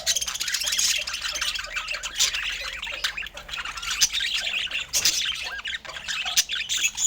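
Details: Budgerigars given balanced fruit and healthy food chatter busily, mixing squeaky chirps, short whistled notes and harsh squawks, with a few louder calls standing out over the steady flock babble.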